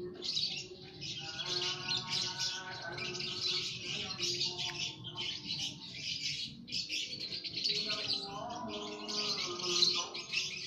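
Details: Lovebirds in an aviary colony chattering: bursts of high, harsh twittering in clumps every second or two, with layered lower whistled tones in between.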